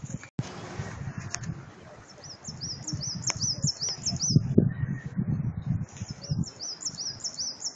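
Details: Birdsong in a spring park at Zhytomyr's hydropark: a high, rapidly repeated series of thin rising-falling chirps in two bursts, with a lower short note between, over rumbling background noise and a sharp knock.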